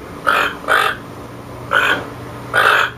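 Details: Toucan calling in two close pairs of rough, nasal croaks, a pause between the pairs, over a low electrical-sounding hum.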